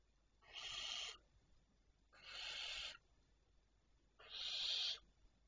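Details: Barn owl at 01:51 on 25 May 2023 giving three long, harsh, hissing screeches, each about half a second to a second, spaced roughly two seconds apart; otherwise quiet.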